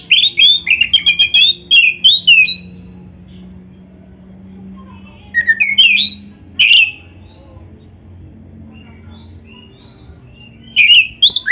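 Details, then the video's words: Oriental magpie-robin singing a full 'isian' song, used to train and lure other magpie-robins into answering. Fast stuttering phrases come in three separate bursts with long quiet gaps and a low background hum between them. "SUARA BURUNG KACER GACOR ISIAN JUARA ‼️ - Stel suara ini BIKIN KACER LAIN CEPAT NYAUT"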